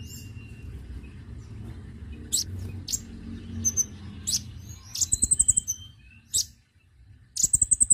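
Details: Konin calling, played as a lure to attract birds: very high, sharp chirps and short buzzy rattles of rapid ticking notes, with low rumbling background noise early on.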